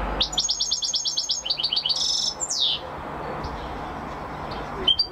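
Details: Champion European goldfinch delivering a rapid string of repeated bright notes, a buzzy rattle and a descending sweep, followed by near silence with a faint final note.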